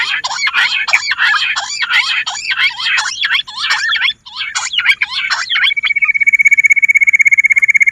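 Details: Bush quail used for luring. A rapid chorus of squeaky, jumbled chirps gives way to an even, pulsing trill.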